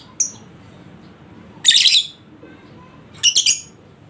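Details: Lovebird used as a lure to provoke a lazy bird into ngekek singing: two harsh, noisy high chattering bursts about a second and a half apart, preceded by a brief sharp chip, over a quiet background.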